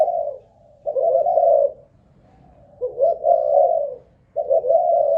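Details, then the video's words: Caged spotted dove kept as a ground decoy, Malaysian stock, under an endurance test: long rolling low coos, three phrases with gaps of about a second, calm indoor surroundings. "Cu Gáy Mồi Đất || Test nước bền chim cũng thấy khá ổn"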